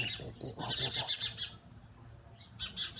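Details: Fighting Oriental magpie-robins caught on a mobile phone, giving a fast run of scratchy high chirps in the first second and a half, a brief pause, then another clipped burst of chatter.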